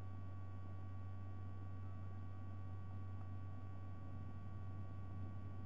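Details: Steady electrical mains hum with faint static hiss runs throughout, with no animal calls.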